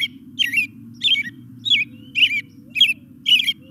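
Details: American Robin song, played slightly slowed down: six short, clear caroling phrases, about one every half second, slightly raspy at the edges, over a steady low hum; recording from Michigan region.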